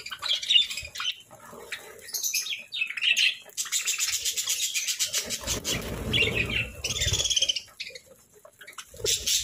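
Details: Kept parakeets at breakfast give high, warbling chirps in short phrases, interrupted by long stretches of harsh rustling and crackling from feeding or moving about.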